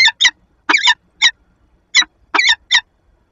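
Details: Nest-box peregrine falcon pair in Lublin, February 15, 2022, recorded from the nest camera: the female gives grating chup notes singly and in quick pairs, seven or so in three seconds.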